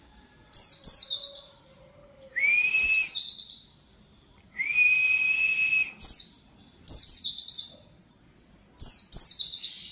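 Oriental white-eye giving bursts of high, rapid twittering notes, alternating with a long steady buzzy whistle held about a second or more; the bursts come every second or two.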